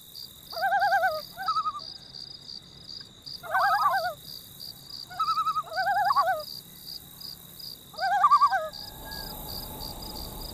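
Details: Summer loon on Emma Lake, Saskatchewan, Canada, giving repeated laughing tremolo calls, quavering bursts about every two seconds, above a steady high, rhythmic pulsing of insects.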